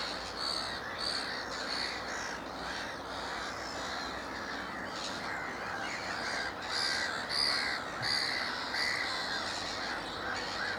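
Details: Young black-headed gulls calling at Upton Warren's Moors Pool wetland, Worcestershire, UK, 13 June 2019; repeated grating kaw notes, roughly one every half second, rise and fall over the steady hubbub of a crowded waterbird colony.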